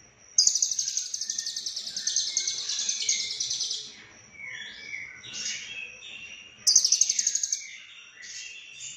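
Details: Lovebird singing in the konslet style with full fill-ins: long, buzzy, very high trills of fast repeated pulses lasting about three seconds, then varied chirping phrases, and a second loud trill near the end.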